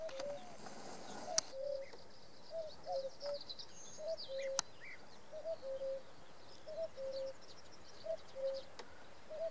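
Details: Three male Common Cuckoos give overlapping falling 'cu-coo' calls, a pair of notes about every second, in an evening chorus in June 2017, Samara region, Russia; other songbirds twitter faintly.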